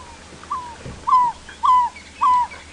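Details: African barred owlet during a 6:30 AM sunrise drive on July 21, 2017, Sabi Sand near Kruger, South Africa, possibly a recording played back, the wild bird about 100–200 m away: short, slightly falling whistled notes about every half second, faint hiss.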